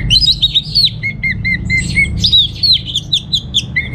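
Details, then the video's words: Captive orange-headed thrush, Singaraja, Bali, with a fast, continuous warble of whistled notes, steady lower whistles repeated about twice a second, then bright, descending slurs. "Suara ANIS MERAH Berkicau"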